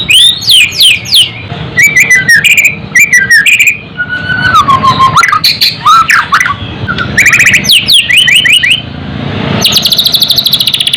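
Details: White-rumped shama song meant to raise fighting spirit and emotion: loud, varied bursts of rapid high trills, clicks and sweeping whistles, with a lower slurred whistled phrase midway and a dense buzzy trill at the end.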